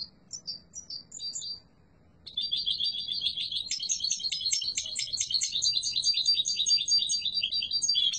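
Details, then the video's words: Yellow mutation European goldfinch singing strongly: a few short separate chirps open, then after a brief pause a dense, fast, unbroken run of tinkling twitters and buzzy trills continues high and bright to the end. "تغريد قوي و جميل🐦 لطفرة الحسون الاصفر"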